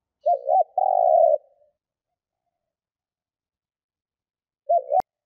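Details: Spotted dove decoy bird cooing to lure wild doves, thúc gù style: two quick low hooting notes then one long rolling coo, a second phrase starting near the end, cut by a sharp click; otherwise silent.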